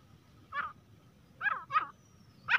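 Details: Grey francolin calling: three short, harsh, rasping notes spaced over about two seconds, then the start of a fourth, over a soft low rumble of background noise.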